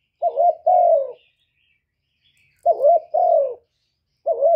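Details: Spotted dove kích bổi lure call, played to stimulate doves: soft, hollow cooing phrases of two linked notes, a short coo and then a longer falling one, repeated after pauses of about a second and a half in a clean, quiet setting.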